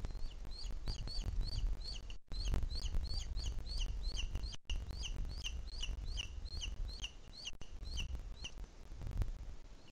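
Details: Booted eagle at its nest in Sierra de Guadarrama National Park, Madrid, Spain, in the 2021 breeding season, during the feeding of a chick. Repeated high, slurred peeps run steadily over heavy low thumping and knocking noises.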